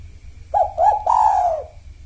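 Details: A one-kuk spotted dove used as a lure, said to call often before the predawn sahur meal: a soft three-part coo of two quick hollow notes and a longer, drawn-out final coo, over a faint low hum.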